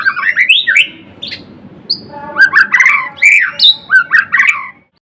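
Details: A caged white-rumped shama (murai batu or murai blorok) sings quick slurred whistles and buzzy chattering notes in two lively bursts, with a brief gap between them and a sudden stop.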